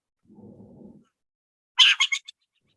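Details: Burrowing owl (Athene cunicularia), Canadian prairie, alarm call: harsh, raspy chatter of four quick notes fading toward the end, after a soft low rumble; given when people approach the burrow, presumably warning its mate.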